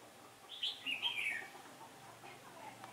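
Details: Decoy red-whiskered bulbul in a trap, singing in competition to draw in wild birds, windy-change day in October 2017; one quick chattering, whistled phrase sweeping down in pitch, followed by quiet background noise.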